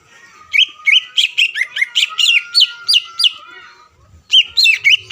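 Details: Greater green leafbird singing to provoke an opponent: lively sequence of looping, rising-and-falling whistled notes about three per second over a faint steady tone, a short gap, then a fresh burst of bright notes.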